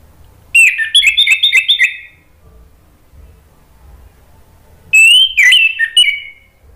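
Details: Orange-headed thrush lure song for Indonesian bird keepers: a fast cluster of chirping whistled notes, about four seconds of quiet, then a second bright, warbling phrase dropping in pitch.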